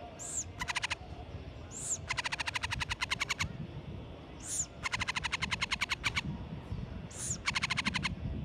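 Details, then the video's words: Hoffmann's woodpecker (Melanerpes hoffmannii), a resident breeding bird, gives a thin high note then a fast dry rattle of about fifteen beats, repeated four times over low rumbling background noise. "Hoffmann's Woodpecker (Melanerpes hoffmannii)"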